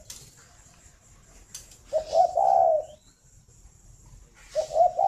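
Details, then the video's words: Spotted dove, a captive breeding bird at a farm in Ba Vì district, Hanoi, Vietnam, cooing in the morning. One full low three-part phrase after a few faint taps, and another phrase starting at the end. "tiếng chim cu đẻ"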